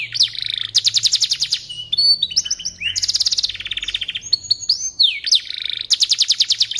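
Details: Singing canary, played to coach white-rumped shamas: bursts of fast, high rattling trills broken by clear whistled slides and chirps, with loud rolls returning every second or so.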